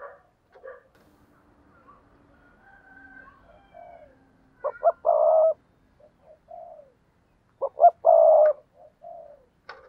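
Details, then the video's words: Decoy spotted dove giving a rousing call: quiet murmuring notes, then two phrases about three seconds apart. Each has two short sharp notes and a long low mellow coo, with a soft coo after. "tiếng chim cu gáy mồi chuẩn cực hay thúc sung"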